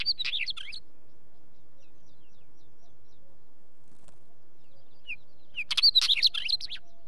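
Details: Wheatear singing two short, scratchy, jumbled bursts of rapid chattering notes, one at the very start and a fuller one near the end, separated by several seconds of quiet with faint background rustle.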